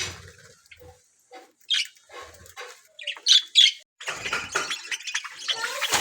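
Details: Budgerigar colony in aviary cages, playing with each other, singing and eating; scattered short squawks and chirps build to a busy, scratchy warbling chatter with a few sharp whistled notes.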